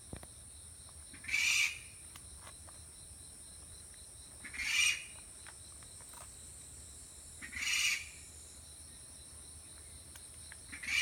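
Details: Hidden Okinawa rail giving alarm calls at close range, wary of the camera; short harsh, noisy bursts repeated at intervals of about three seconds, four bursts in all, with faint background hiss between them.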